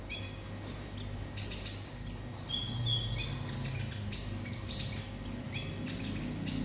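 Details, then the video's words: Olive-backed sunbird singing 'konslet': quick, very high chirps and trills open the phrase, then short whistles and further sharp chirp bursts. A low hum continues in the background. "konin konslet"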